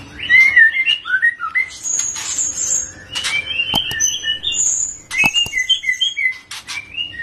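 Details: Juvenile Medan white-rumped shama already singing gacor and ngeplong: quick slurred whistles and warbles, shifting in pitch, with high sweet notes, several crisp clicks, and a continuous rambling delivery.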